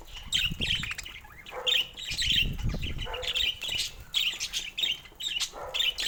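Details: Pet budgerigars chirping while playing with toys in the morning: a busy stream of short high chattering chirps and squawky notes, several birds together, with soft low thumps and rustling in the background.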